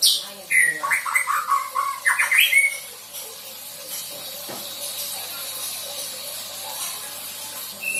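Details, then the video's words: Young white-rumped shama that has just moulted out of juvenile plumage, learning song material: about three seconds of lively varied whistles and chirps, then a quiet stretch with only faint background hiss. "MURAI BATU PASTOL GACOR BELAJAR BAWA MATERI....."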